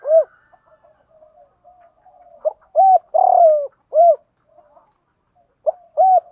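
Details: Male and female spotted doves cooing to stir up captive birds: repeated arched hoots around a longer wavering coo, phrases recurring every few seconds, with soft low murmurs in the pauses.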